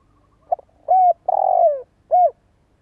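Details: Spotted dove with a good voice cooing as a decoy to start other doves calling. A soft lead-in, a short arched note, a long descending coo, and a final short arched note, all low and mellow.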